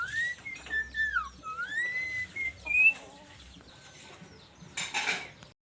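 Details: Whistling, chatty starling: sliding whistled notes swooping up and down, with thin high squeaks, fading into soft background rustling.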